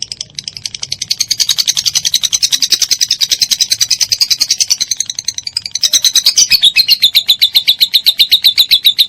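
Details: Lovebird giving a long ngekek chatter, used as a master recording for training songbirds such as cendet, murai batu and cucak ijo: rapid high notes repeated several times a second, unbroken for about nine seconds, louder and slightly lower near the end.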